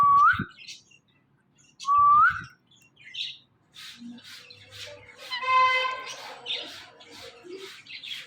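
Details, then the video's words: An Indian ringneck parakeet, a talking pet, gives two rising whistled phrases, then softer chattering and a brief tonal, musical-sounding passage. "Funny Indian Ringneck Talking Parrot"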